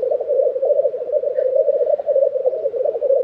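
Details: Black grouse lekking at Tiveden, Sweden, April 2023: an even, low, rolling bubbling drone with one brief faint higher note midway.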